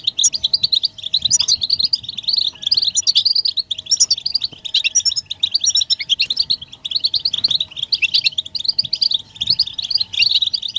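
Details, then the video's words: Several European goldfinches twittering in a lively chorus of mating calls meant to stimulate singing; steady waves of fast, scratchy chirps and trills overlap without pause for the whole stretch. "بتبتة حسون الشوك تحفيز الحسون على التغريد والهيجان علاج صمت الحسون goldfinch stimulation"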